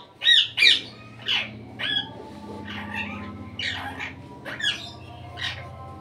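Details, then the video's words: A pet Indian ringneck (rose-ringed parakeet) out of its cage gives harsh, high squawks, about a dozen in six seconds, loud at first then softer, over a low indoor hum. "Indian ringneck parrot melodious voice"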